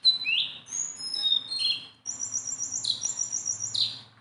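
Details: A tame Sunda bulbul that sings nonstop and can be handled. Bright downslurred whistles are followed by a rapid, buzzy, high trill and two emphatic falling notes.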